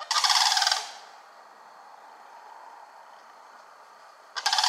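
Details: Sandhill Crane family foraging and calling in Kalamazoo, Michigan, 11 July 2018: a loud, rolling rattle under a second long, a quiet stretch, then a second rattle beginning at the very end.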